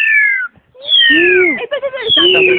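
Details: A caged Black-collared Starling, met on a hike on 14 March 2010 and said to mimic other birds well, gives loud, sliding whistles falling in pitch, mixed with harsher nasal, meow-like notes; people talk nearby.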